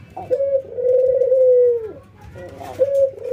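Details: A ringneck dove, one of an albino white and a local bird in a training session, giving one long, drawn-out coo that drops at the end, then a short rough note and the start of another coo.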